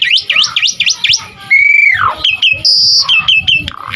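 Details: Asian pied starling used as a lure and training model for starlings: a varied song of quick looping whistled notes, a long drawn slurred whistle falling at its end, then sharp high piping whistles and clicks.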